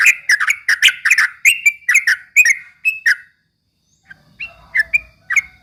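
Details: Straw-headed bulbul song meant to rile up rival birds: a lively string of sharp, bright notes, a short silence, then fainter single notes with a low rumble beneath.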